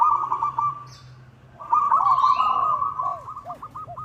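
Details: Local zebra dove calling to a rival, suited as a lure: a steady cooing trill, then a loud rolling phrase ending in a series of evenly spaced, arched coo notes.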